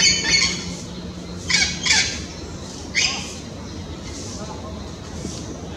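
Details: In the Amazon in late afternoon, before going to roost, an orange-winged amazon calls to its flock with harsh squawks in three or four loud bursts about a second apart, over steady hiss and a faint low hum.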